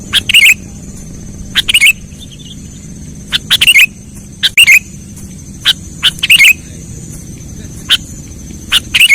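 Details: Sooty-headed bulbul lure call used for trapping birds: short, loud, chattering bursts with bubbly warbled notes, spaced irregularly about one to two seconds apart with quiet gaps between, over a steady faint background hiss.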